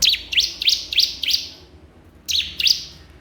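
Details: A rival-calling crystal prinia delivers a run of five sharp high sweeping chirps, evenly spaced, then a short pause and two more similar notes.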